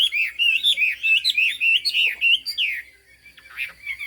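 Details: Chinese hwamei with fig-leaf tail and turmeric-yellow bill singing high: a fast chain of rich, rolling whistled phrases, then a long descending slur, a short pause and a few sharp high notes.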